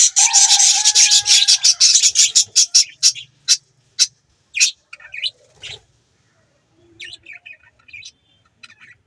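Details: A budgie flock gives a loud burst of fast, repeated high chirps that thins into single scattered calls, then fades to soft distant twitters.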